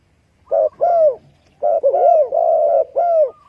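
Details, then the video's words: Spotted dove calling in a quiet setting with a clipped first coo, a longer curved coo, a brief pause, then a rolling coo-croo-crook phrase and a final hooked note. "spotted dove sound"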